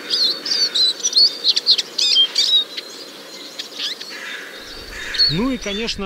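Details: A Eurasian siskin sings in early spring on 21 March 2023 in Biryulyovsky forest park, Moscow, recorded with a parabolic microphone: a high, rapid twitter of thin chirps and trills for about four seconds, then a man begins speaking.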